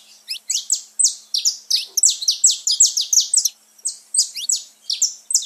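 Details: Saffron finch in full song, played to stimulate pet birds; a fast, even series of bright high chirps roughly three per second, with a short pause near four seconds.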